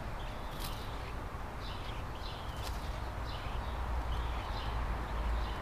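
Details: At the nest tree, a scrub jay pair tends three chicks in 2017: short, high, slightly falling chirps come in loose series over constant low rumbling noise, with a few clicks.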